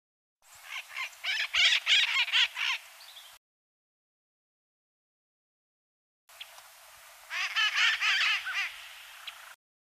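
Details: Red-masked parakeets, a small flock of about fifteen in the city of Guayaquil, Ecuador, by the river front and Iguana Park: two bursts of harsh, raspy screeching calls, rapidly repeated and overlapping, separated by a silent gap.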